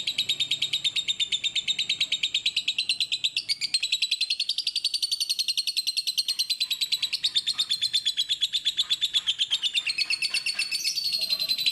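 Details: Clear lovebird song with breaks, made for tutoring other birds: a fast, unbroken stream of high, bright chirps forming a rattling chatter. It shifts a little in pitch and shows a brief change near the middle, over a faint low hum.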